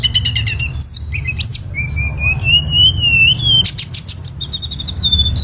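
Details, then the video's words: Lesser shortwing singing a varied phrase: quick high stuttered notes, sharp upward-swept whistles, a long wavering whistle slowly rising, then dense trilled notes ending in steady high tones over a low background rumble. "suara burung tledekan gunung"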